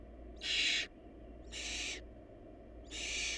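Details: Barn owl nestlings in a nest short of food giving three loud, raspy hisses, the first strongest, separated by about a second of low humming background.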